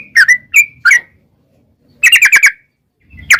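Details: Sooty-headed bulbul singing in the long 'ropel' style for luring wild bulbuls to reply: three separate chirps, a second of silence, then a quick run of five notes and a final chirp.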